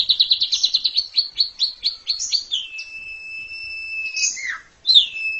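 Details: Asian pied starling song for masteran: a rapid series of about fifteen bouncing chirps slowing down, followed by a long steady high whistle, a downward slurred squeal, and a final clear whistled note.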